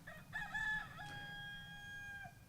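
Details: Rooster crowing at the communal animal park, parc du Faisan Doré, in Hasnon, France: one drawn-out crow with short rising opening notes, then a long steady held tone fading after about two seconds, with low background rumble.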